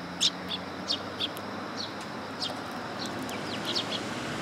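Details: Willow tit visiting for food at a Tenmangu shrine, 1 September 2022; sharp high chip notes and short down-slurred whistles spaced about every half second at first, then sparser, above faint steady background noise.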